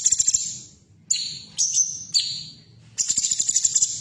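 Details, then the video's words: Female cucak cungkok bulbul, a sound meant to stimulate caged birds to sing: a fast pulsed buzzy rattle, then three piercing notes sliding downward, then another rapid rattling trill, with a low hum underneath. "Terapi Suara Cucak Cungkok Betina 100% Lansung Gacor"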